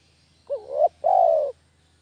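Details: Spotted dove lure call (derkuku kampung): one loud two-note phrase, a short hooked coo climbing into a second longer, steady, rough-edged coo lasting about half a second.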